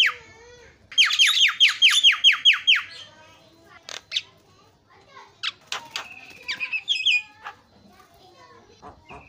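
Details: A Javan myna calling, meant to draw out reluctant mynas: a fast string of harsh, downslurred chattering notes, followed by scattered clicks and short whistles.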